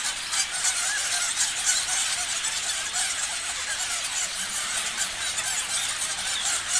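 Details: Parrots chirping en masse, with rapid high squeaks and chattering notes layered over one another, forming a constant bright twitter and occasional sharper peaks.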